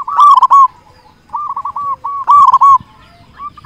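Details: Loud local zebra dove singing as a lure to attract and excite other zebra doves; strong, ringing coo phrases of quick stuttering notes, repeated about every two seconds.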